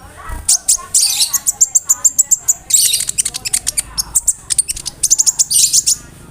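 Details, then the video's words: Konin delivering lively mimicry including cricket-like notes, kept as a master voice for tutoring songbirds: dense quick high ticks and chirps repeated rapidly, with buzzy hissing bursts and thin whistled phrases. "SUARA KONIN GACOR ISIAN JANGKRIK, BREM, KAMADE, RAMBATAN FULL MEWAH"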